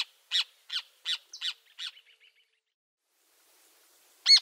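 Rufous Hornero: a run of six loud, harsh, high notes about every 0.4 seconds, trailing into faint chatter, then one more loud note after a pause.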